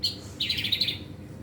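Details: Caged white-rumped shama (murai batu) in training, giving a short high buzzy warble of rapid trilled notes after a brief opening chip, with steady low hum behind.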